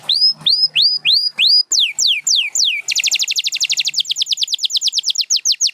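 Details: Champion canary singing: five upswept whistled notes, then slower descending sweeps, then a long rapid rolling trill of high, evenly repeated notes.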